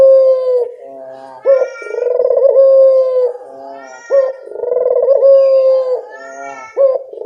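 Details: Barbary dove of local stock cooing as a lure: low rolling coos, each begun by an abrupt rising note, then a purring stretch and a long level tone, repeated about every three seconds.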